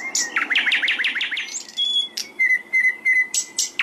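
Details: Training song of a hill blue flycatcher, meant for captive birds to copy: opens with a fast stuttering trill of bright notes, then a long level whistle punctuated by high sharp chips and brief piercing whistles.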